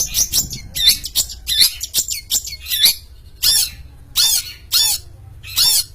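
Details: Champion long-tailed shrike in full voice: quick, high chattering chirps give way to a row of loud, harsh, drawn-out rasps, each repeated under a second apart.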